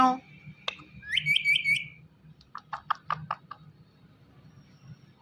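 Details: Indian ringneck parrot, a green talking pet bird, giving short rising whistled chirps followed by a quick run of five or six clipped, voice-like syllables over a steady low hum.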